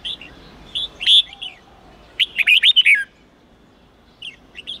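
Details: Red-whiskered bulbul training song in the 8-9-10 forest style for young birds. Scattered soft notes, a loud whistled burst, then a dense tumbling run of warbled notes around the middle, and quieter notes near the end.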